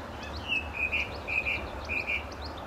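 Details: Song Thrush, a male singing close by near a St Albans gravel pit in Britain, May 2012; short bright whistled notes delivered in pairs, the phrase repeated several times in quick succession, with a faint low background hum.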